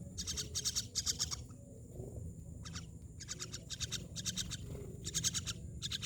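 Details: Myna calling in a series of grating, pulsed chatter bursts about half a second long, separated by brief pauses, with a low constant hum underneath.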